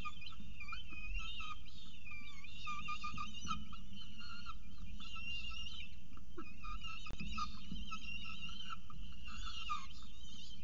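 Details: Peregrine falcon at the nest at CSU Orange eating pigeon prey in the morning, 24 October 2018; a steady run of wavering, whining calls with strong overtones over a constant low rumble.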